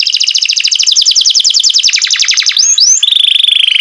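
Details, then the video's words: Green canary kept in care, singing loudly: a long rapid trill of repeated notes slowing into separate downward strokes, a brief slurred twist, then a steady high buzzy rattle, with a clean quiet background. "green canary with a melodious voice"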